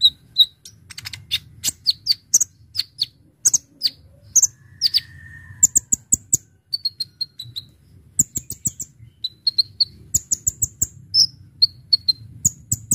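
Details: Brown-throated sunbird in steady full song for attracting birds: repeated very high, sharp chips and paired ticks, short twittering groups and one thin level whistle, over a faint low hum.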